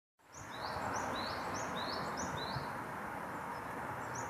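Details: Brown-eared bulbul at a park watering spot, February 3, 2016, after bathing and perched relaxing on a branch, giving short, high, thin chirps in quick succession, about three per second, over steady rushing background noise.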